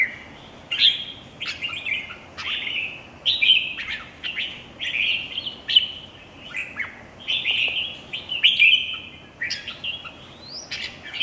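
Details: Red-whiskered bulbul in competition singing. A lively, continuous series of clear, slurred whistles and chattering warbles comes at a steady pace, with sharp upward flicks opening many phrases. There is light background hiss.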